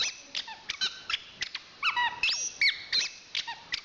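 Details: Anis kembang champion singer producing squeaky, bending whistles and a sustained high pure note, interspersed with quick sharp clicks and chips at an irregular pace.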